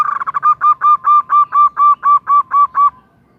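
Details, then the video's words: A female zebra dove calling the male starts with a fast stammer of notes. It slows into a regular series of about eleven resonant, slightly rising coos, then falls silent. "Perkutut betina memanggil JANTAN - Suara BETINA GACOR Mengundang Bunyi"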